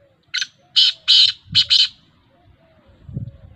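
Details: One loud, rasping phrase from a black francolin, recorded 19 August 2021: a clipped opening note followed by two drawn-out harsh notes and a quick final double. Faint low rumbles are heard underneath and afterwards.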